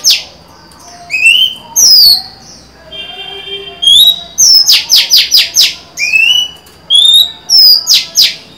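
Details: Female Oriental magpie-robin singing on 23 July 2020 to entice a male. The song mixes sweet whistles, a buzzy tonal phrase and a rapid run of five sharp descending notes, with irregular gaps between phrases.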